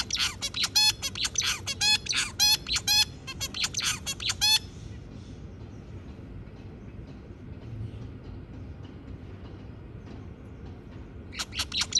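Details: Zebra finch singing a long rapid run of buzzy, clicking notes for about four seconds, then quiet low hum, with another short burst of song at the end.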